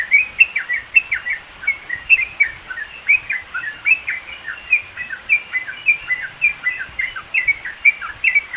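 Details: Yellow-vented bulbul singing in the mountains of East Java, recorded as a training recording for songbirds: a busy, continuous chatter of short bright chirps and slurred notes, several per second, with faint steady background hiss.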